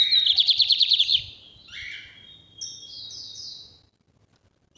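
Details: Lined seedeater from Brazil, northeast song type used for tutoring: a quick series of bright pulsed chirps followed by lower buzzy notes and a sequence of thin high-pitched whistled slurs, with faint background hum.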